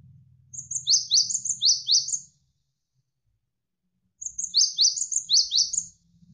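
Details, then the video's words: Javan sparrow (Java sparrow) giving two bursts of quick, high, chirpy notes, each about two seconds long, with a pause between them and a low hum beneath. "GELATIK WINGKO Gacor"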